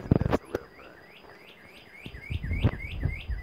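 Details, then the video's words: A northern cardinal singing up in a tree in Bermuda gives a quick run of about ten clear, slurred whistles, roughly three per second, over low wind rumble and a few thumps. "Red Bird🕊 Red Cardinal Bird 🦅 (🎧Sound/ Hear &🔍 See)"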